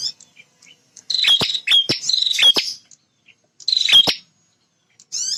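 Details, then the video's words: Bar-winged prinia male, kept vocal to provoke rival birds, gives harsh buzzy trills broken by sharp clicks, several phrases close together, then a pause and another phrase. "Suara Prenjak Jantan Super Gacor"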